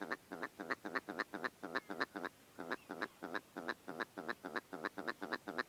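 Willow Ptarmigan giving a fast series of nasal, barking notes, about four per second, with a brief pause before the cackling resumes.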